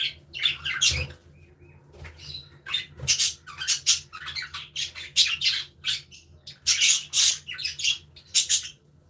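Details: A flock of budgies in an aviary chattering constantly, rapid scratchy chirps and squeaks packed closely together with a faint low hum beneath.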